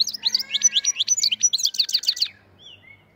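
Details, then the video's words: Black-headed goldfinch singing in the Andijan, Kuva and Fergana manner. A rapid, even run of about twenty liquid chirps rising in intensity, then a soft trailing whistle. "АНДИЖОН КУВА ФЕРГАНА САЕРОКИ САВА"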